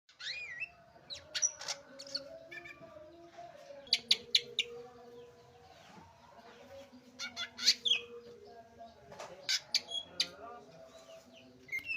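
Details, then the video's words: Caged green leafbird singing quietly: scattered sharp whistled notes and short chirps, some sliding downward, in loose bursts, over a steady low hum and faint background tones. "cak ijo ambyar"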